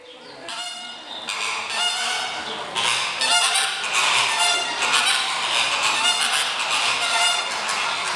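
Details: Flamingos at Budapest Zoo, kept in their indoor facilities on a fine early spring day and sounding dissatisfied: a flock's continuous nasal, honking chorus, many birds overlapping with a steady loud din.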